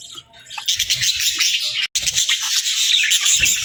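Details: Dense, hissy chatter of feeding budgies with fast high chirps, briefly cut by a short silence, and soft low tapping sounds beneath the calls.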